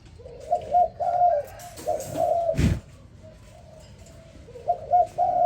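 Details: Spotted dove cooing in the morning, low drawn-out coo phrases partly overlapping, with a loud thump of handling noise midway and background rustle.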